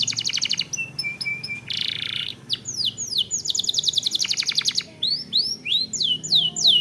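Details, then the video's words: Canary master song intended to prompt singing: buzzy trills, a row of short clear whistled notes, then sweeping downslurs and quick rolled phrases. "Pancingan Kenari / Masteran Kenari"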